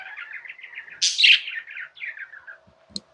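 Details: One budgie warbles a continuous wavering chirp, breaking into a loud bright squeal after a second, then trailing off in softer buzzy notes and a faint click.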